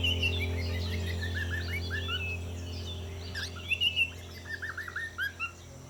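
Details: Cockatiel song: a string of quick, bright whistled chirps warbled over a steady low hum.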